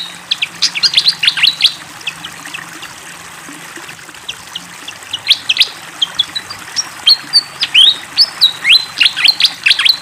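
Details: Fantail in full song beside flowing water: clustered sharp chirps at the start, a short pause, then renewed bursts of bright whistled and rising notes with faint trickling water underneath.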